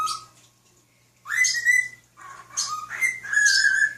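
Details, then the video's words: A pet cockatiel whistles the tune Nights in White Satin to a fish and other birds indoors: clear tonal notes near mid pitch, stepping up and holding, in phrases separated by short pauses with breathy overtones. "Sunny sings to birds and a fish"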